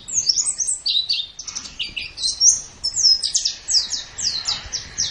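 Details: Gacor singing by a pleci (white-eye), made as a masteran for pet birds: quick, high, slurred chirps tumbling in near-continuous phrases, ending in a run of evenly spaced downward notes.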